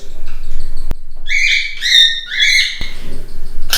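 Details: Budgerigar chicks in a breeding aviary, being fed by their parents, give a run of raspy, buzzy begging calls with several overlapping notes in quick succession; a couple of sharp clicks and a low background hum.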